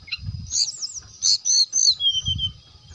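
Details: Brown-chested jungle flycatcher singing to lure other birds: short high whistled slurs and a long thin falling whistle, with low rumbling background thuds at the start and end.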